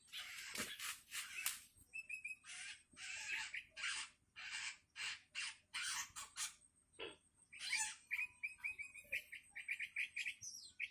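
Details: Hungry young long-tailed shrike begging from its parent, a dense series of short, harsh rasping screeches repeated rapidly, mixed with brief whistled notes and a stuttering chatter near the end.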